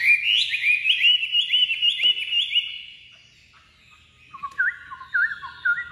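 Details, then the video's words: Caged Chinese hwamei, just out of its box, singing strongly: bright whistled notes slurring up and down, repeated in quick phrases, then after a brief pause a lower run of looping whistles. "Chim vừa ra khỏi hộc đã chơi như máy, chất giọng cực đỉnh | Họat Họa Mi"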